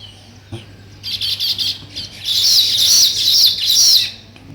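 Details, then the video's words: Weaver birds chirping while building a nest: a dense chorus of high, scratchy chattering notes, starting after a brief pause and swelling into a continuous buzzy twitter. "Sparrow Chirping Sounds, |Weaver Birds Building Nest"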